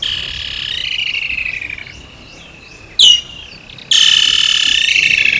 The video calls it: Woodland Kingfisher